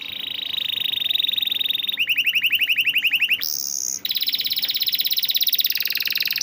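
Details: Canary song used as tutor and to prompt reluctant canaries to sing: a rapid high trill, then a run of repeated rising notes, a brief pure whistle, and another fast buzzy trill, all steady and loud.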